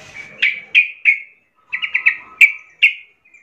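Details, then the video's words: Young wild sooty-headed bulbul singing to train young birds: spaced bright chirps with a brief quick triple note in the middle, clean background. "trucukan gacor Muda hutan - Paling Pandai MELATIH trucuk Bakalan/Ombyokan Cepat Gacor"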